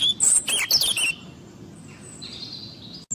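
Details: European robin singing: a burst of high, sweet, fast-changing warbled notes lasting about a second, then quieter thin drawn-out whistles in the background over a soft low rumble.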